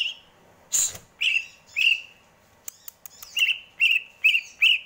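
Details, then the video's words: Greater green leafbird song of clear, slightly buzzy whistles repeated roughly every half second, broken by a noisy burst and a few sharp clicks. "Burung cucak ijo, bikin adem indah dengarnya"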